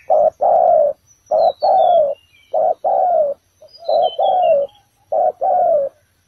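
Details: Decoy spotted dove calling on the ground at a trap site, a steady run of low, hollow coos in short-long pairs, four phrases close together, with faint high chirps from other birds.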